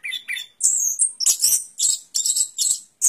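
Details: Short burst of orange-headed thrush song, made of squeaky high notes and harsh, dense chattering phrases in quick succession.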